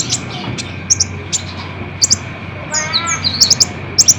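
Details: Kolibri ninja sunbird recording meant to stir caged birds to answer: scattered high, thin double chirps and a brief rising twitter, with a lower buzzy burst in the middle and steady background hiss.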